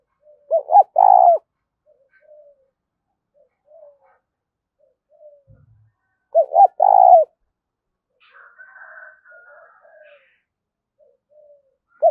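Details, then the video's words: Spotted dove repeating its 'thúc' coo phrase twice, roughly six seconds apart, each a pair of quick notes and a drawn-out coo; faint chattering bird calls between phrases. "Tiếng chim cu gáy thúc cực đỉnh vang cả buôn làng"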